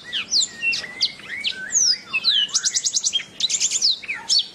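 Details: Canary song as a training master: quick high whistled slides and chirps leading into fast rattling trills of evenly repeated notes, loud and clear.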